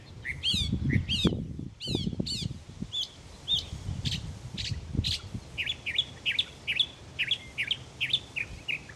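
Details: Mockingbird in a morning singing bout, said to continue until it finds a mate: a few sweeping rising-falling phrases, then a long run of short chirps repeated about twice a second, with low rumbling behind.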